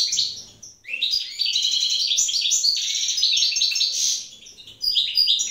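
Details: Wild European goldfinch pair in the evening while the female incubates eggs: continuous rich twittering song of rapid tinkling, buzzy and liquid notes, briefly dipping then resuming.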